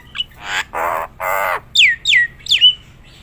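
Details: Nias hill myna, a competition bird, giving three loud rasping squawks followed by three clear whistles that drop steeply in pitch.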